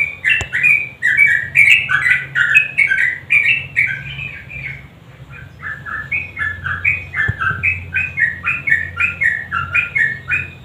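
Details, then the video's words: Sooty-headed bulbul in a lure recording meant to make silent birds join in: a long flow of bubbly, chattering whistles in choppy up-and-down steps, briefly softer in the middle, with faint low hum underneath. "Trucukan GACOR NGUKLIK kombinasi GARUDA yang BISU pasti IKUTan bunyi"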